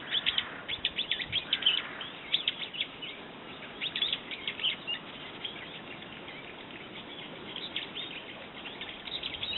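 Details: Brown-eared bulbul calls: a series of short, sharp, high chirps in clusters, loudest in the first two seconds, over steady background noise.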